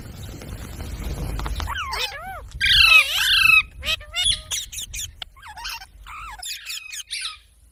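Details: Parrot calling after a noisy start: a loud, broad, raspy burst, then a series of sharp, bending, harmonic squawks and squeaks.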